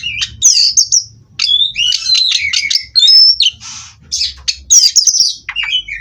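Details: Oriental magpie-robin bred in captivity, pouring out a fast, dense medley of whistles, rasps and chattering notes with sharp high sweeps and a short noisy buzz midway.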